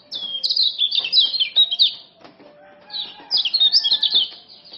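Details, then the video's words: Common iora, a male of the Lombok type, kept as a tutor and lure bird: two bursts of fast, high twittering chirps with quick rising and falling notes, separated by a short quiet gap, with faint low hum beneath. "Kecial Kuning Jos Super Speed Tanpa Ngeriwik"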